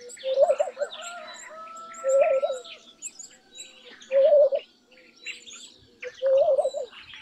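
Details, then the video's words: Laughing dove giving its bubbling, laughing coo, four short rolling phrases of low notes at roughly two-second intervals, with other birds chirping and trilling constantly behind it. "Laughing Dove Call ! Laughing Dove Song ! Laughing Dove Sound ! Voice ! Vocals ! Noise ! Cooing"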